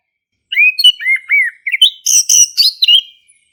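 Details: Song of a male orange-headed thrush, played to stir a quiet thrush into singing; sweet arched whistles give way to a burst of high scratchy mimicked notes, phrases delivered rapidly without pause.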